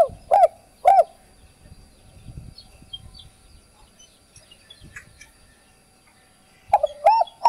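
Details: Spotted dove cooing, a recording used to train birds and rouse decoy birds. Two short hooked coos open, then near silence with faint scattered chirps, before a closing phrase of rapid hooked coo notes.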